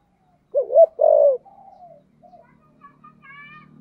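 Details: Spotted dove giving a giọng thổ song phrase: a bouncy double coo and then a long, level, hollow coo, followed by soft trailing notes and a faint high whistle.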